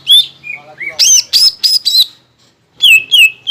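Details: Greater green leafbird song used as a lure to rouse contest birds: loud clear whistles sliding downward, a burst of harsh rasping notes, a short silence, then bright whistled phrases.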